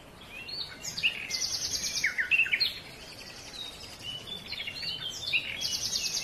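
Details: Silver-breasted broadbill, a bird of the middle layers of foothill and montane forest, usually kept in groups of its own kind: series of high, thin, downslurred notes and short chirps, several overlapping callers, steady background hiss.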